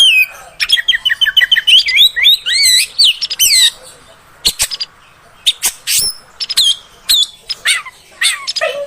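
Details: Female oriental magpie-robin sound used to excite males: a fast, varied warbling run of whistled notes for several seconds, then scattered sharp harsh notes and short downslurred whistles separated by pauses.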